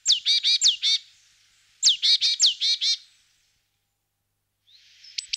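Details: Great tit settling into a nest box: a sharp falling note leads into a run of buzzy, harsh churring notes. After a pause, a second falling chirp opens another buzzy series, and faint high ticks follow.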